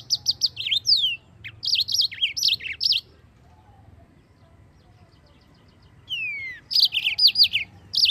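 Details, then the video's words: Rolling song of a yellow-fronted canary, used for training pleci birds to sing: quick series of bright chirps and a swooping whistle, a silent gap of about three seconds, then a falling whistle and further twittering notes. "Mozambik Gacor ISTIMEWA Suara Paling DICARI - Masteran burung mozambik"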